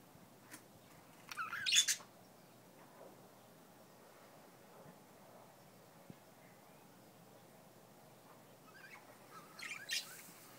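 Budgerigars give short, high chirps and scratchy warbles in two bursts separated by quiet.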